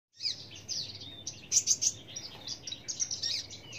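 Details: Australasian bushlark song: a dense run of high, rapid chirps and short trills with brief whistled notes, bursts of sharp twittering in the middle, faint low rumble beneath.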